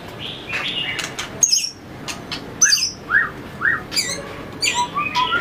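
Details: White-rumped shama being trained for competition singing, tail-flicking on its perch, gives short separated downslurred whistles and a few rising notes, spaced roughly half a second apart, amid sharp clicks.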